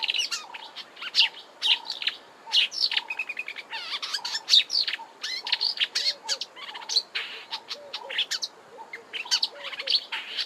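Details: Marsh warbler (Acrocephalus palustris) sings a fast, rambling, unbroken warble of varied chattering, whistled and buzzy phrases with repetitive notes and mimicry; Kap River Nature Reserve, Eastern Cape, South Africa, March 2020.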